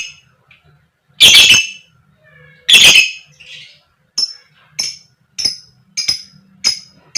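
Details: Female fighter lovebird used as a singing lure: two loud, raspy 'koek' squawks, then a quick series of six short, thin, high chirps repeated about every half second, over a faint low hum.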